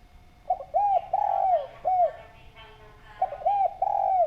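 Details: Spotted dove cooing as a lure, clear and loud: a stuttered run of short hooked notes into a long descending coo and a short closing coo, then the phrase begins again.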